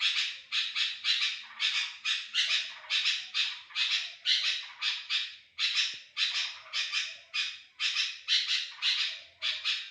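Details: Sooty-headed bulbul (kutilang) in active song, used as a lure to draw other bulbuls; bursts of harsh, squawky, chattering notes repeated in quick rhythmic phrases, nearly two per second, continuing steadily throughout.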